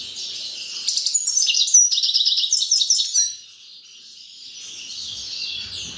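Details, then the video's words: A grey-crowned goldfinch delivers a fast burst of chattering, tinkling notes and short buzzy trills for about two seconds, then falls silent against a faint high background hiss. "Седоголовый щегол красивый голос"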